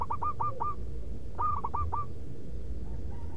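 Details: Zebra dove giving its loud, rhythmic manggung song used as a lure: two quick phrases of four to five clear, bouncing cooing notes. A steady low rumble runs underneath.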